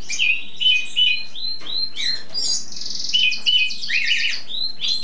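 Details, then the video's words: In spring a tutor bird (cabresto) in its display stage sings tirelessly: clear upward-sliding whistles in series, then a rapid buzzy trill and more bright notes. "primavera cantando por horas sin parar!"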